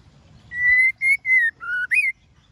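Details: Whistled phrase of a female white-rumped shama meant to stimulate males to sing: one long steady note, two shorter even notes, a lower flat note, then a sharp rising whistle, all clear and ringing.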